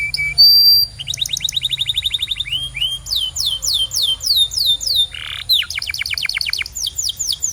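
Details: Canary singing for training other canaries: a high whistled note, then long rapid trills of repeated downward-sweeping notes, a buzzy burst near five seconds, and further fast sweeping rolls.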